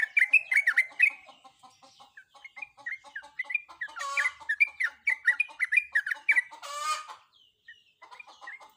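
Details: Breeding female sooty-headed bulbul calling for a male: rapid chattering, warbled whistles in continuous runs, with two short harsh rasping bursts from another bird partway through.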